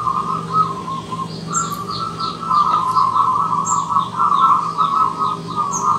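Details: A wild zebra dove sings in the morning, an almost unbroken string of vibrating, purring coos rising and falling in loudness. Soft high twitters from other birds and a faint low hum run behind it.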